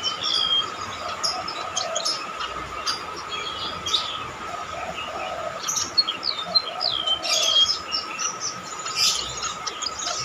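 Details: Golden-bellied gerygone singing loudly, with shrill calls used as a tutor recording for songbirds: high, thin whistles, some sliding downward, scattered over a steady insect drone and background hiss.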